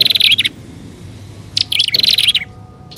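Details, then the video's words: Lure recording of prinias, prenjak alang-alang and upper and lower prenjak: a short high twittering burst, a pause of about a second, then a longer chattering phrase. "SUARA PIKAT BURUNG PRENJAK ALANG ALANG+PRENJAK ATAS DAN BAWAH"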